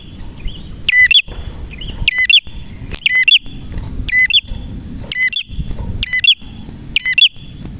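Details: Male red prinia in active song, a rhythmic series of sharp chirped note pairs roughly every second, seven bursts in total, over a steady high whine and soft low hum.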